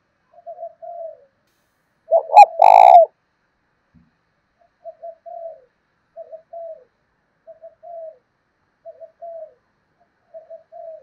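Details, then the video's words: Spotted dove kept as a lure, its 'thổ' voice meant to make other doves answer. After one loud, buzzy, stuttering coo, gentle paired low coos follow at steady intervals of roughly a second and a half. "Chim Cu Mồi Gáy Kích Chim Gáy Hiệu Quả Hàng Ngày, cu gay kich boi nhanh noi gù"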